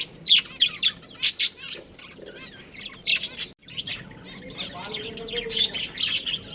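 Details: A breeding pair of budgies chirps in quick high clusters, bright tweets repeated several times a second, pausing briefly midway before resuming with busier chatter.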